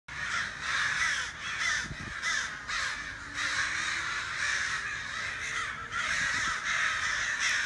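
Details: Crows calling outside a back door: harsh, noisy caws with broad energy, repeated in a steady run across the recording.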